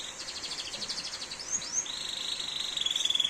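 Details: Canary singing during heavy rain: a fast buzzy trill gives way to two high rising sweeps, then a long, steady, clear whistle that grows slightly pulsed, over a constant hiss of rain.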